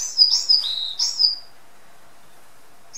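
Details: Caged varied tit singing at home: a brief high phrase of slurred whistled notes, dipping and repeated, lasting about a second and a half before silence.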